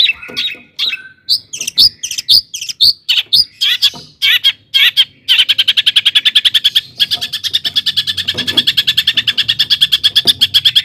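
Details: Long-tailed shrike song used to provoke shrikes: varied chirps and whistles give way to a long, fast, even series of harsh repeated notes, about five per second.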